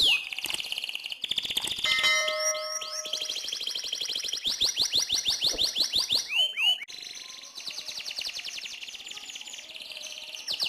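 A canary sings a long, lively, unbroken song of fast rolling trills, high buzzy sweeps and a few steady whistled notes, all high-pitched and rapid.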